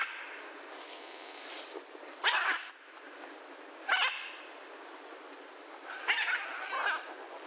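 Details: In the wild, a macaw gives three loud, rough, grating squawks a couple of seconds apart, with a constant noisy hiss between the calls.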